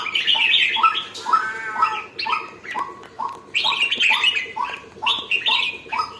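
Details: Red-whiskered bulbul beginning to sing in lively form, opening with a scratchy chatter, then delivering quick upward-flicking chirps about twice a second with occasional higher warbles.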